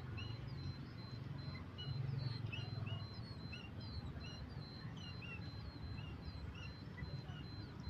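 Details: A happy sooty-headed bulbul being given water gives quick, bright chirps and short slurred whistles, repeated throughout, over a steady high whine and heavy low rumbling background noise.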